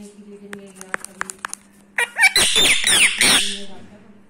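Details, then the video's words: Indian ringneck parrot, a seven-year-old rescue bird in India, rubbing its beak and talking: soft clicks during the first two seconds, then a loud burst of harsh, rasping squawks and garbled chatter lasting over a second. "rubbing beak and talking bird"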